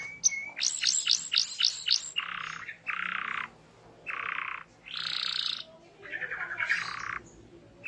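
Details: Energetic canary singing meant to trigger replies from other canaries: a burst of rapid upward-sweeping notes, then separate lower buzzy rolls, each about half a second long, broken by short pauses.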